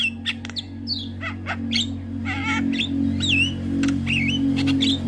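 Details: Starling song meant to prompt birds to sing: scattered whistled, wavering notes and squawks over a steady low hum.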